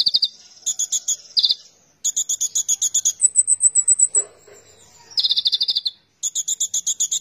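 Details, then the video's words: Oriental magpie-robin in persistent song. Rapid trains of buzzy, pulsed notes, a long, very high thin whistle that falls slowly, then a loud, dense stuttering phrase and more pulsed rattles. "konin gacor"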